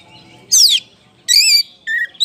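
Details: Oriental magpie-robin of the kacer poci type giving lure song to spur other birds: three separated loud phrases, a harsh falling rasp, a wavering high whistle, then a lower flat note.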